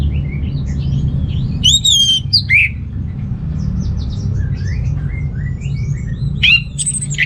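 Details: Orange-headed thrush in full voice, played to stir males lacking breeding drive: a few loud, clear whistled phrases swooping around two to four kilohertz, separated by quiet gaps, over a steady low rumble.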